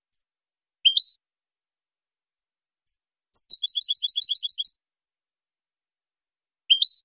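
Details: European goldfinch, Spanish type, singing clean song used to train juveniles and for contests: scattered sharp rising tweets, then a rapid run of bright tinkling notes about a second long, then more separate chirps. No other sounds.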